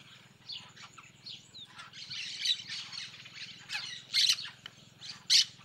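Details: A noisy group of Yellow-chevroned parakeets in the sertão of Bahia, Brazil, gives harsh, scratchy screeches and chatter in irregular bursts, with two loud shrieks near the end, over a faint low hum.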